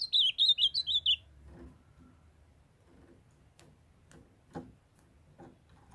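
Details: Opening with a loud, fast phrase of about seven high, slurred whistles, a young male ultramarine grosbeak sings to his calling female, followed by scattered ticks and taps.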